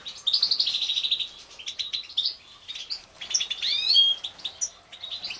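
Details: European goldfinch mutations bred in captivity during the 2016 season deliver a bright jingling song: a fast buzzy rattle of repeated notes, then varied chirps, twitters and a sweeping slurred whistle.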